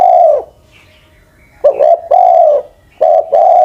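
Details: Aged spotted dove used as a ground decoy, over ten years old, gives deep hooting coos: a trailing long note, then two phrases of a stuttered double note followed by a drawn-out falling coo.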